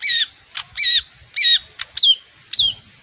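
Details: Leafbird said to sing whenever it hears music, a bird fond of bathing; sharp harmonic notes sliding down, repeated about twice a second with short bursts of clicks between, in otherwise quiet surroundings.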